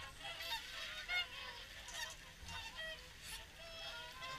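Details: Swans at Caerlaverock during an evening feed: many overlapping bugling, honking calls with layered harmonics rise and fall continuously from a large calling flock, steady low hum beneath.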